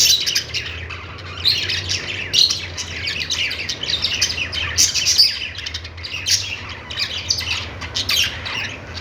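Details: A group of budgies keeps up continuous high, scratchy warbling and chirps, with louder squeaks standing out every second or two over a faint low hum.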